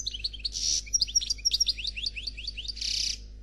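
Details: European goldfinch of the Noir Khalwi song type, singing faultlessly: a buzzy burst opens a run of quick liquid chirps and tinkling notes, closed by another harsh buzz.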